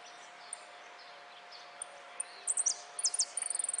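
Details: Prize-winning saffron finch, repique song style, from a finch singing competition in Quilmes on 26 October 2013. Scattered high isolated notes build into clustered sharp chips and end in a rapid high-pitched trill, with a constant low electrical hum throughout.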